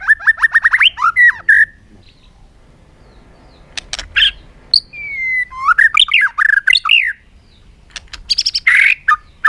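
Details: Bird song opening with a quick rattle of rising notes, then clicks, a long gliding whistle and more scratchy, swooping phrases, ending in a dense burst of harsh chatter.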